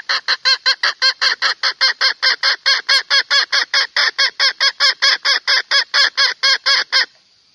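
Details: Hen from Phayao, Thailand, cackling to call a male: a fast, loud train of harsh, nasal clucks, about two to three per second, kept up for seven seconds before stopping abruptly.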